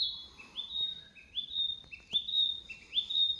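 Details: Small songbird repeating a two-part phrase about once a second: a lower short note that jumps up into a longer, steady high whistle, the pattern recurring four times in quick succession.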